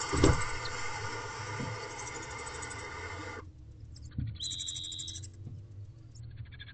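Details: Young barn owls in a nest box at 5:34 am, 21 April 2023, hissing after the male brings a rodent; one long steady rasping hiss for over three seconds, then quiet rustling and a brief thin whistle.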